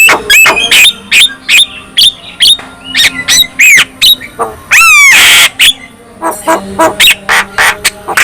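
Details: Busy Javan myna song that sets off other mynas: fast harsh clicks and short squawks, roughly three a second, broken by a raspy descending series of buzzy notes midway.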